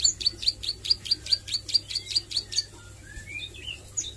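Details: Plain prinia youngster learning to sing, nglagu and nembak style: about thirteen crisp, high ticks repeated evenly at roughly two per second, then a few soft, lower slurred whistles rising and falling.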